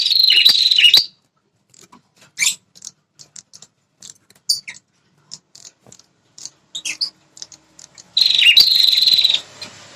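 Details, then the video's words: Calls of a red-headed prinia, used to stir up males defending territory. A high, buzzy, rattling trill opens, scattered sharp ticks follow, then another long buzzy trill trails into faint hiss. "BIKIN PRENJAK LIAR NGAMUK ‼️ Suara Burung PRENJAK Kepala Merah."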